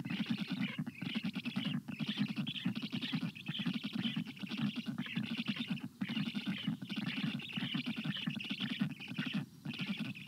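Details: Several black stork young on their nest in hot weather, 25 June 2022, keep up a long unbroken hoarse chattering, fast grating pulses with waves of hissy wheeze.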